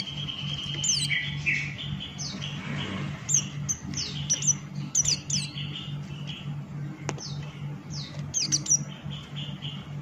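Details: Buxton's white-eye in full ngalas song, a long run of high descending slurs and sharp tweets, busiest mid-clip, layered over a sustained lower whistle and a persistent low hum.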